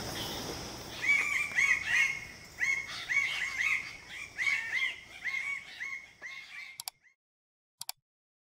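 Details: Red bird-of-paradise in Raja Ampat, wild birds seen against the sun: a run of loud, repeated harsh notes, each bending around a steady pitch, roughly three per second for six seconds, then two sharp clicks after a pause.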